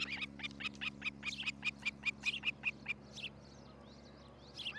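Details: Osprey at its nest near Charlo, Montana, on a nest camera at about 6 a.m. on 13 July 2018. A string of short, sharp whistled chirps comes about five per second for three seconds, then fades. A low steady hum runs underneath.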